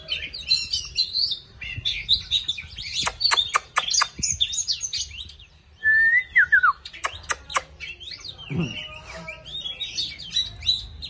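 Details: Oriental magpie-robin singing while dancing, a rich run of high whistled and chattering phrases broken by sharp clicks and knocks, with a clear falling whistle mid-way.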